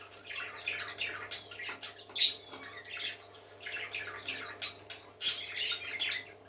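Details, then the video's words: Several happy parakeets singing together: dense chattering warbles and squeaks, with sharp high chirps standing out about every second over a low steady hum. "Happy Parakeets Singing"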